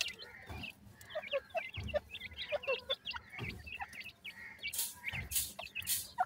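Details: A brood of mixed white and brown teetar chicks, a kind of francolin, chirping steadily: bright, high, hooked peeps in quick overlapping runs, broken by a few loud hissing rustles near the end.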